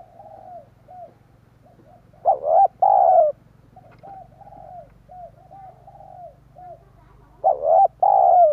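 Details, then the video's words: Spotted dove decoy call to bring wild doves closer. Two loud, throaty coo phrases about five seconds apart stand out, with a steady string of softer, hollow coos filling the gap between them. "Chim cu gáy kích bổi nhanh nổi hiệu quả"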